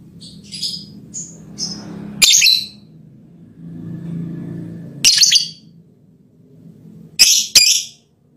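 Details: Lovebird giving a mating call to its male partner: a few soft high chirps, then harsh, explosive squawks in short bursts, singly and in quick pairs, separated by quiet gaps with a low background hum.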